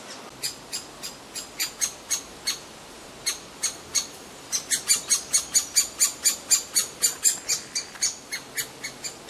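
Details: Great spotted woodpecker chick in the grounds of Rowden's House begs from a feeding parent with shrill, high, sharp calls about twice a second, speeding into a rapid, insistent series midway.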